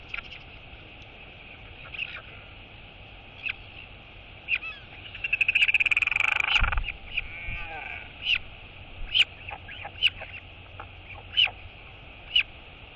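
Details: Royal albatross chick greeting its mother at feeding time on 23 August 2022, the mother answering with a skycall greeting. Scattered high squeaky chirps surround one loud, harsh, drawn-out burst lasting about two seconds, over constant hiss.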